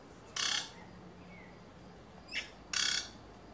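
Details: A courting pair of Black-chested jays, building a nest at a forest treetop near cottages, giving two harsh, raspy bursts about two and a half seconds apart, with a brief softer note before the second.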